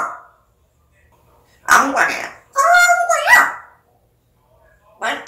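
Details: African grey parrot talking in loud, clear, voice-like phrases with steady harmonic tones and a short whistled rise, separated by silences, with a final phrase cut off at the end.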